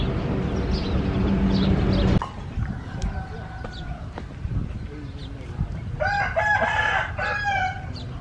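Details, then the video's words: Chicken: a rooster-like crow made of stacked harmonic tones appears near the end, at about six to seven seconds. It follows a loud burst of low rumbling noise and faint scattered knocks. "Natural chicken"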